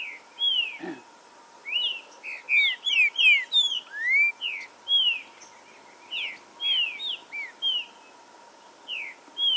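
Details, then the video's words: In forest, a green-winged saltator gives a long, fast series of loud whistled notes, falling and rising slurs with rich overtones, repeated in clusters over nearly ten seconds; faint steady hum throughout. Played to spur aggressiveness and singing. "ESQUENTAR TRINCA FERRO NA FLORESTA 🔥 DESTRAVA CANTO NA HORA"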